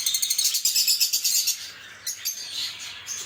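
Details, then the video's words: A lovebird chatters: a fast run of shrill, high chirps for about a second and a half, then a few scattered squeaky notes. "LoveBird Singing & Chirping Sounds"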